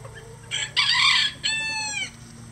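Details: A single rooster from a farm flock of twenty or more standard and bantam birds gives one clear cock-a-doodle-doo: a short rough opening note, a loud harsh middle, then a long smooth tone that slides down.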